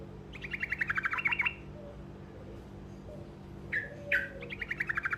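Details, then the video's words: Truco with a short roll meant to bring answers from other birds: a fast trill of repeated notes, a gap, two sharp upswept chips, then a second trill beginning, over a constant low hum. "Dengar Suara Burung Truco Ngerol Pendek Dijamin Pasti Nyaut"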